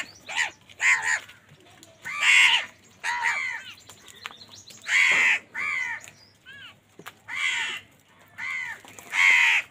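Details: Several crows squabbling over food caw loudly and harshly: about a dozen short, grating calls in irregular bursts, some overlapping, others separated by brief pauses.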